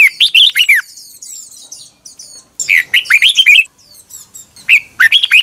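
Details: Recorded in 2021 as lure song, a red-whiskered bulbul sings in the morning. Three bursts of fast, warbling whistles dip and rise, with softer high chirping continuing between them.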